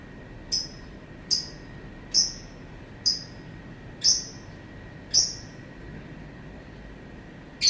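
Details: Lovebird giving a series of short, shrill, high chirps, each sliding downward, repeated roughly once a second over a faint steady hum, ending with a louder harsh burst.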